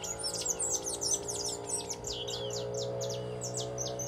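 Red-cowled cardinal at dawn: a fast stream of high, sweet chirps and slurred whistles tumbling over one another, over a steady low mechanical hum.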